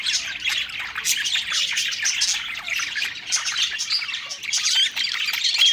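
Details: Happy budgerigars chattering while they eat; bright rapid chirps, short squawks and warbled notes pour out together from several birds in a steady high-pitched stream.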